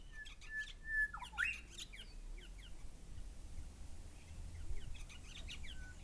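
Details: Grey shrike-thrush pair calling with a sustained whistle that bends abruptly downward. Numerous short high chirps and squawks from other birds run through the rest of the recording.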